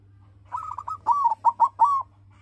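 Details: Locally bred silver zebra dove singing to provoke rivals into song: a soft rolling lead-in followed by four loud, clipped, bubbling coos in quick succession, with a constant low hum behind.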